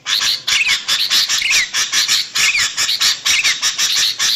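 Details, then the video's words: A female Sooty-headed bulbul calls to attract a male in this lure recording. Rhythmic bursts of rasping chatter carry repeated short whistles that swoop down, recurring roughly every second. "PANCINGAN SUARA PIKAT BURUNG KUTILANG"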